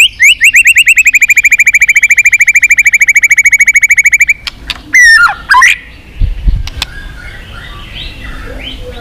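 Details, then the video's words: White-rumped shama singing to rouse weaker birds into contest singing: a fast trill of about forty even, whistled notes held for four seconds, then a few sharp slurred whistles before quiet background. "chòe lửa hót cực căng kích chim yếu lửa hót ,kích chim hót đấu, luyện giọng chòe lửa hót"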